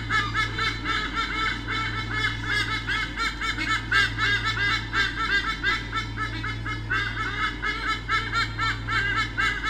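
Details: White-bellied sea eagle pair at Sydney Olympic Park, Australia, 2013, defending territory from swooping currawongs, nest camera: long, dense chorus of rapid honking yelps, almost four per second, rising and falling in loudness.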